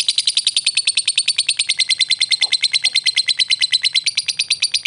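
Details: Lovebird ngekek and ngetik lure sound meant to make fighter lovebirds answer; a steady, very fast, shrill chattering trill of closely repeated high notes runs unbroken throughout.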